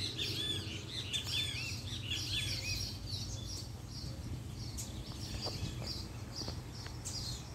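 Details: Captive coleiro (Double-collared Seedeater) kept as a pair, singing 'puxada' as the female appears: a run of arched, whistled notes repeated rapidly in the first two seconds, then scattered thin chirps over a steady low hum.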